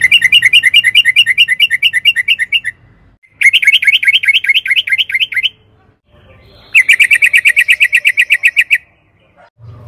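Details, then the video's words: Caged-bird lure recording of a yellow-vented bulbul: three rapid rolling trills of bubbly, pulsing notes, each about two seconds long and separated by short silences, over a faint low hum. "Pancingan trucukan gacor agar BUNYI jadikan BURUNG TRUCUKAN GACOR NYAUT EMOSI"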